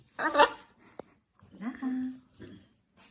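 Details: Pet blue-and-yellow macaw kept at home, indoors: one loud, harsh, raspy squawk, then a sharp click and a lower, drawn-out, voiced cry that holds steady before fading, followed by brief softer rasps.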